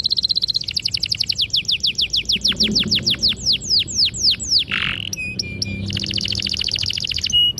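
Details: ['Long-rolling canary song meant to stimulate young birds to learn singing: a run of fast descending high notes, a brief harsh burst, then a rapid buzzy trill.']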